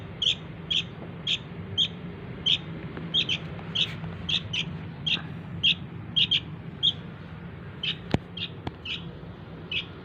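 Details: Young sooty-headed bulbul begging to draw in its parents, giving short high chirps at uneven intervals, roughly two per second, with a couple of sharp clicks and a low background hum.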